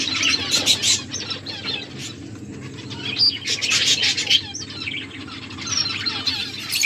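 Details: A group of finches chirping while feeding: rapid, uneven volleys of high, thin chirps and twitters, loudest in the first and middle seconds.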